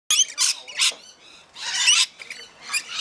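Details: Rainbow lorikeets feeding, giving harsh broadband screeches in bursts of about half a second, with short gaps and a few quieter chatters between.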